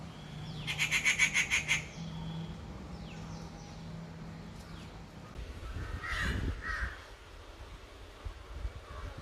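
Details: Rufous Treepie screeching: a fast burst of harsh, rasping, pulsed notes repeated rapidly for about a second, then fainter scattered calls over a steady low hum and background noise.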